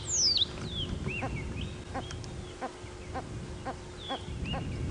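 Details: Red-crested korhaans on a sunrise safari drive, 9 Nov 2016, take turns calling: a steady series of short, sharp, upward-flicked notes about twice a second. These quieter calls come without full display, possibly because no female is present. A high descending whistle opens the clip over an engine rumble.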